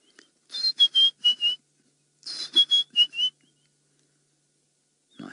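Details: White-browed Scrub Robin calling during an afternoon game drive on a reserve in August, near lion cubs; two bursts of four quick, clear whistled notes, each slightly falling, then silence.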